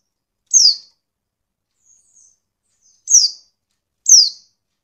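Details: A female white-eye calls to provoke males into singing: three sharp, high, descending chirps about a second apart, with faint softer notes between them and a quiet background.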